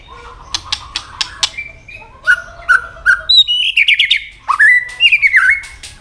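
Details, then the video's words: White-rumped shama giving fighting song with tail-flicking: sharp dry clicks open, then varied clear whistled phrases, some sliding up or down, with a burst of rapid warbled notes and loud whistles near the end. "chòe lửa chuyền hót đấu nết đập tạch đuôi chắc,kích chòe lửa hót đấu chớm lửa"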